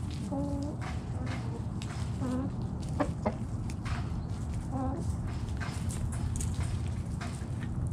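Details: Backyard chickens foraging in the morning, with short soft clucks and brief rising notes scattered through the clip, plus clicks and scratching over steady low rumble.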